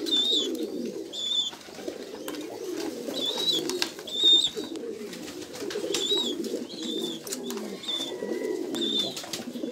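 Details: Domestic Jambu pigeons in a loft, giving a steady low cooing murmur, with short high-pitched chirps from other birds breaking in every second or so.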